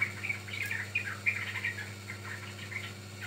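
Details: Trucukan, the yellow-vented bulbul, in a recording meant to lure or train birds: a brief, lively stretch of rapid chirps and warbled notes, loudest near the start, with a steady low hum beneath.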